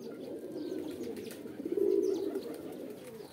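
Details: Pigeon (kabutar) mating call: a soft, murmuring low coo that swells to a louder burst midway, then fades, over faint chirping of other birds.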